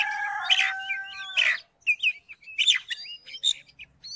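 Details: Oriental magpie-robin song aimed at stirring a silent magpie-robin: two harsh buzzy bursts over steady tones, then crisp short whistled phrases and bright up-and-down slurs separated by brief gaps.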